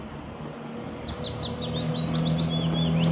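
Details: Willow warbler song recorded by Zeeburgerpad on 2 May 2016: a fluid sequence of sliding whistled notes dropping down the scale, finishing with a few rising flourishes, over low humming background noise.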